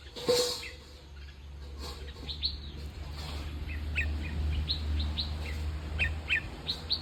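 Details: Bulbul giving short, bright chirping notes scattered through the clip, some rising sharply, over a steady low hum and background noise.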